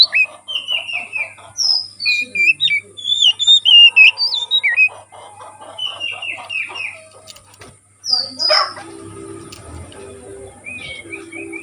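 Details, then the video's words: Wild forest kacer, oriental magpie-robin, singing to lure other birds: varied whistled phrases with slurred and twisting notes for about five seconds, then softer notes, a loud sharp call and a low repeated sound. "Suara Burung Kacer asli hutan masteran burung kacer"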